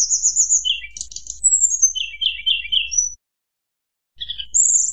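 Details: Hill blue flycatcher fluting to stir up rivals: a high trilled whistle, a rattling note, a long falling glide and repeated warbled phrases, a short silence, then more high whistling.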